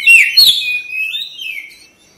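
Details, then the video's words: White-rumped shama singing, kept as a cage bird. Two loud whistled slurs, the first falling, then a long thin whistled tone that fades out over about two seconds. "KACER CEPAT RESPON GACOR"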